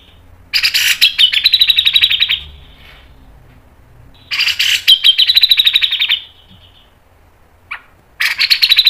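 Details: Grey-cheeked bulbul singing fast, long mbeset phrases meant to train caged birds: two extended rapid high trills of about two seconds each, a short call, then another burst.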